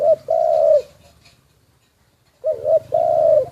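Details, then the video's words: Spotted dove kept as a decoy, recorded in secret, giving two loud low phrases about two and a half seconds apart, each a quick hooked note then a long even coo. "แอบอัดเสียงนกเขาใหญ่ นกต่อ"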